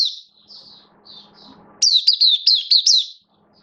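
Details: Caged oriental white-eye on 11 September 2022, slightly off form: a few soft, drawn-out high whistles, then an abrupt loud run of rapid, rising-and-falling chirps lasting over a second before silence.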